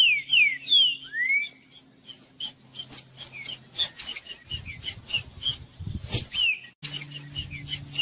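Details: Green-winged saltator singing to warm up a quiet bird, a species favored by breeders for song contests. Opens with a burst of descending and rising whistles, then turns to scattered high, sharp notes, with low rumbling noise in the background.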